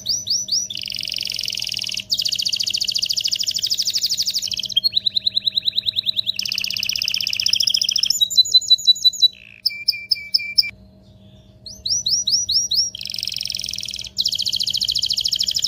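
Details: Excited canary song meant to prepare males and females for mating, made of alternating tours: dense rapid trills, rolling repeated notes, sharp high whistled phrases and brief pauses between sections.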